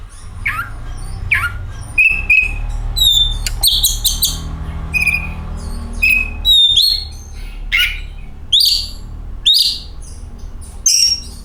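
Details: Oriental magpie-robin song meant to encourage other magpie-robins to sing: scattered short whistles and scratchy notes spaced about a second apart, with a low steady background hum throughout.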